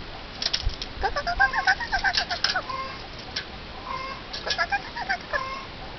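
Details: Eurasian jay, a crow relative able to mimic other birds' sounds, giving a run of harsh, clipped notes with short whistled tones, bursts clustered in the first two and a half seconds and again near the end.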